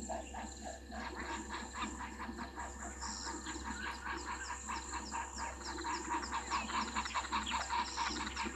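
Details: Spurfowls at Gowrie dam waterhole on Djuma Game Reserve, Sabi Sand Wildtuin, South Africa, 22 August 2023 at 17:04, picked up by a fixed waterhole camera: rapid harsh grating bursts repeated over several seconds, with high bird chirps and a steady low hum.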